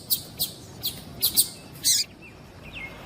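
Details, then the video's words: Female Double-collared Seedeater call meant to arouse a male; a handful of short high chirps in the first two seconds, then two faint lower whistled slurs. "Fêmea de Papa capim piadeira para Esquentar Papa capim"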